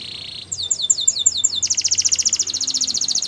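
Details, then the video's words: Russian canary flute singing: a buzzy tone, then looping downslurred whistles, then a rapid high rolling trill of about four notes per second, over faint low background noise. "Russian Canary Flute Singing"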